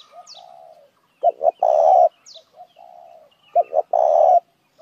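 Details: Spotted dove used as a lure for other doves: soft, low preliminary coos lead into two short stuttered notes and a long hoarse coo, then the sequence repeats.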